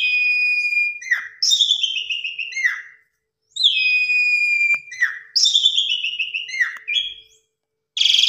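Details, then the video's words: Asian pied starling song used to draw in other birds: long pure whistles with falling slurred tails, repeated in phrases separated by pauses, ending with a harsh burst. "Pancingan Suara Jalak Suren MATERI KUMPLIT Full Isian Mompa + Gacor Burung Lain Ikut Terpancing"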